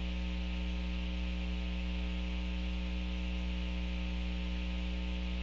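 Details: A loud, constant electrical mains hum and static hiss fill the recording, and no animal sound is present.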